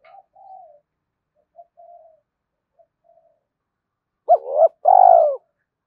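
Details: Spotted dove cooing to stimulate other doves. Soft, distant, wavering coos come first, then a loud close double coo and a long vibrating note that drops at its end.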